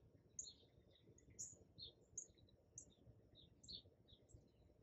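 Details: A Ruby-throated Hummingbird at a feeder in Ohio, recorded in the morning, gives thin, very high chips and squeaky twitters, several each second in quick bursts, over a steady low rumble of background noise.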